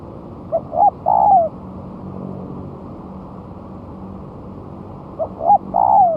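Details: Moulted spotted dove, one month after changing feathers, singing on the ground as a lure: two quieter three-note phrases about four seconds apart, a soft coo, a rising note and a long downward-slurred coo, over faint hum.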